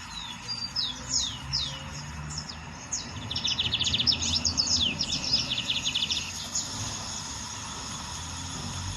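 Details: Lined seedeater singing in nature. It opens with separate high, slurred whistles, then breaks into a fast, dense, buzzy trill around the middle before fading to quieter notes. Faint background hiss.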